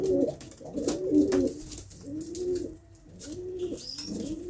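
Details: Pigeon giving low, arched, throaty coos in short phrases, repeated about once a second, with a faint higher chirp late in the sequence.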